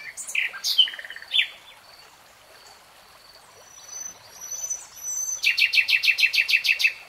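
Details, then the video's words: Common nightingale in full song: loud varied chirps and a short rattle, quiet thin whistles during a pause, then a long rhythmic series of about ten identical loud pulsed notes, over a soft continuous rush. "BEST NIGHTINGALE SONG 3 Hours REALTIME Nightingale Singing"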